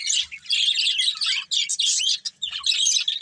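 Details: Pet budgerigar breeding pair giving a dense stream of harsh, buzzy high chirps and warbling chatter in three long bursts separated by short pauses.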